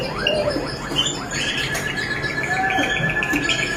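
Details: Malinois Waterslager canary singing: rapid rolling trills of repeated notes near the upper-middle range, mixed with lower liquid phrases and short downslurred notes, with a steady background hiss.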